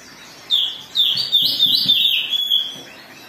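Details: Agitated Oriental magpie-robin singing in an excited mood, used as a lure to provoke singing: after a brief quiet start, loud clear whistled warbling notes tumble in rapid, uneven succession, rising and falling, over a quiet background.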